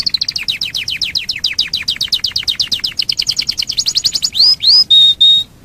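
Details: Lure song of a domestic canary to set other canaries singing: steady run of quick downslurred chirps, speeding up, ending in two rising whistles and a level held tone.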